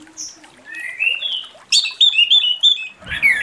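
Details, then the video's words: Morning song of an orange-headed thrush, opening with soft rising whistles, then a quick burst of loud, sharp notes and a harsh scratchy ending. "Anis Merah Ngeplong pagi"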